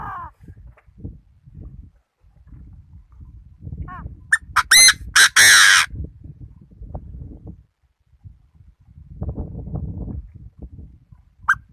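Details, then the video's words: Chinese francolin kept as a decoy bird: a burst of loud, harsh, strongly harmonic squawking notes in rapid series midway, with brief higher calls near the start and end over low rumbling handling noise. "Chim đa đa mồi"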